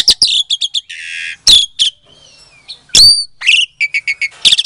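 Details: Lure song of a captive-bred Asian pied starling from Klaten, Indonesia, February 2022, used to goad silent starlings into answering: clipped harsh chacks, a rasping buzz, thin sliding whistles, then a rapid run of staccato notes.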